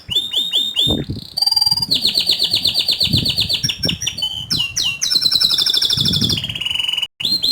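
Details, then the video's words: Rolling canary song with high shooting notes from a bird in peak form: opening repeated falling chirps, then long, rapid, buzzy rolled trills broken by brief sweeps, sung loud and almost without pause. "Kenari Gacor Ngerol Nembak Suara Kicauan nya ISTIMEWA"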